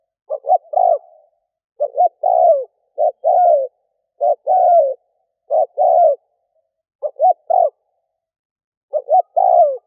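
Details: Lure call of a spotted dove for attracting wild doves: crisp stuttered coo-coo notes leading into a fuller falling croon, repeated in regular bursts across ten seconds against silence.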